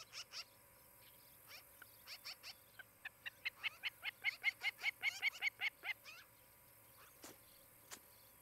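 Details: Osprey at a nest near Charlo, Montana, where a pair is raising a family, filmed by nest camera on a late July 2018 morning; a rapid run of loud whistled chirps repeats about two to three per second, then fades.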